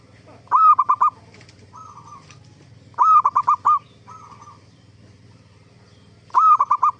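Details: Lure song of a zebra dove, played so other zebra doves reply: three bright phrases of four or five clipped cooing notes, spaced about three seconds apart, with softer distant coos in the gaps.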